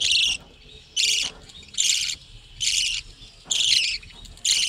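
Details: Budgerigars in a hut breeding colony give loud, raspy chirped bursts, six of them spaced evenly about a second apart, each a short buzzy chatter with near silence between.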